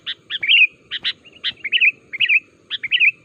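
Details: Sooty-headed bulbul call intended to set off answering song in other bulbuls: bursts of sharp chirps leading into slurred warbling phrases, repeated several times, soft low background noise.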